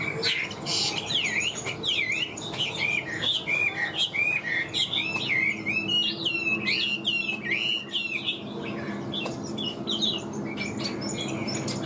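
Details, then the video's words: Caged Chinese hwamei, a large fine bird praised for its high singing, pouring out loud slurred whistles and trills in quick succession, dense and energetic for most of the stretch before thinning near the end. "Họa mi bóng bộ to đẹp hót cao"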